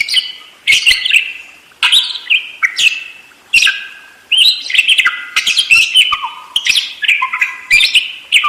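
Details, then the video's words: Lively budgerigar song with rapid chattering phrases of squeaks, clicks and short whistles, repeated in bursts roughly every second. "SUARA BURUNG PARKIT ‼️ NGEROL DERES GACOR DOR"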